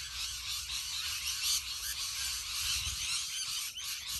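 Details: A huge flock of rainbow lorikeets in Australia keeps up a steady shrill, squealing chatter, countless overlapping high calls forming a dense, unbroken din.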